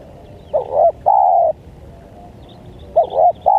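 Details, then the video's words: Spotted dove lure call in the 'menekan' style for attracting wild doves: two short arched coos then a long steady coo, the phrase starting again near the end. Background quiet apart from low rumble. "Pikat Tekukur,Menekan, Tekukur Liar"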